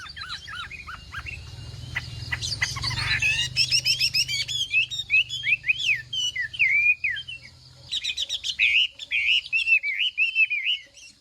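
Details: Chinese hwamei in a morning singing contest: scattered sharp clicks and chips give way to a fast, varied run of fluty whistles and trills, pausing briefly before resuming.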